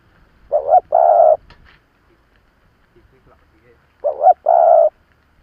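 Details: Seasoned decoy spotted dove calling to lure wild rivals: two phrases about three seconds apart, each a quavering short note then a steady drawn-out coo. A few faint clicks fall between them.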